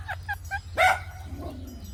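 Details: Indian ringneck parakeet making natural sounds: three short harmonic squawking notes in quick succession, then one louder, harsher call and a fading low note, over a steady low hum.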